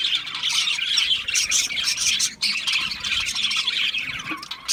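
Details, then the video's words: Constant high chattering from a group of budgerigars: rapid twittering mixed with harsh squawks, dipping briefly near the midpoint and then carrying on. "Natural Parakeet Singing Birds | Parrots Chirping sounds"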